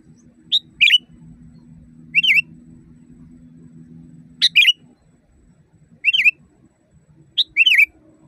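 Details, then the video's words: Wild sooty-headed bulbul singing loudly, recorded to train caged birds: five short, bubbling whistled phrases about every one and a half seconds, each a quick rising-falling warble, with a constant low droning hum between. "Masteran burung kutilang di tempat raja kutilang. Suara keras fulll alam"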